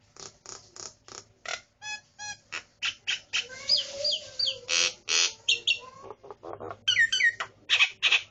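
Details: Kept starling singing a loud, varied run of sharp repeated chips, then rising and falling whistles, buzzy rasps and fast chattering notes, delivered about three per second with a faint low hum beneath.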